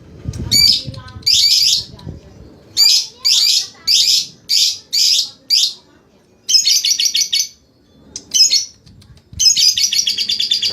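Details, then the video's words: Lovebird in training to sing ngekek: a series of harsh, buzzy chattering bursts, then two stretches of rapid stuttering trill near the end, over a faint low background rumble. "Cara Melatih Lovebird Langsung Ngekek"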